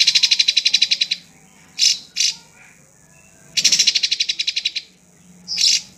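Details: Drongo song opening with a rapid chattering run of about a dozen harsh notes per second. Single raspy bursts follow, then another fast rattling series and a final sharp note.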